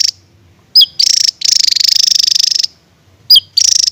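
Javan tesia singing: sharp high whistled notes that slur downward, then long, rapid, buzzy stuttering trills in two bursts.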